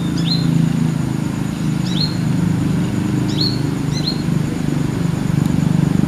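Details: Brown-throated sunbird, apparently a young female perched on a guava branch in the afternoon in a village, calling casually as if to its companions: a few sharp, high, downslurred chirps, irregularly spaced, over a low engine-like rumble.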